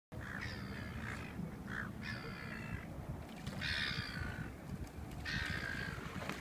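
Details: Male Australian wood duck (Chenonetta jubata), recorded 07/08/2015, gives harsh, nasal, sneeze-like bursts, about five spaced one to two seconds apart, over a steady low rumble of wind or traffic.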